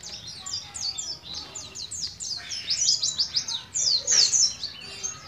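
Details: A young pet Oriental white-eye from Moga, Pemalang, Central Java, just learning to roll its song, gives a fast, high twittering song of thin, sliding chirps, about three or four notes a second, without gaps.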